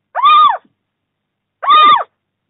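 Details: A little owl in the Bommelerwaard, Netherlands, on 4 March 2024, during the first prey transfer of the new breeding season, gives two harsh, arched mewing calls, each under half a second, about 1.5 seconds apart, rising then falling.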